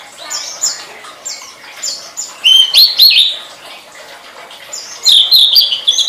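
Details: Tledekan song used to train songbirds: soft high whistles early, then loud, rich warbled phrases with sliding high notes, repeated after a short pause.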